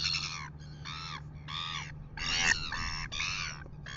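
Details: At 6:27 AM in New Zealand, red-billed gulls harass a royal albatross before a live camera: a rapid series of loud, raspy, nasal screams, roughly two per second, overlapping near the middle, with low wind rumble beneath.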